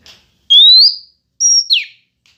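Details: Female Oriental magpie-robin singing to draw out males: a long upward whistle, a short pause, then a high level note sliding into one falling slur.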